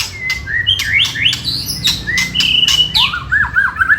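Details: White-rumped shama song used to provoke rival birds into responding: clear whistled phrases, some long and level and others sliding up and down, strung together quickly and loudly, with sharp clicks between, over a low hum.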